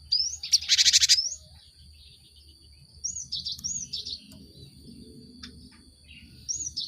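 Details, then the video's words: Cinereous tit song played to spur caged birds to sing. A loud harsh buzzing burst opens, then short scattered whistled phrases and quick chips, with quiet gaps between. A steady thin high tone persists. "Pancingan gelatik batu untuk merangsang burung ombyokan cepat bunyi"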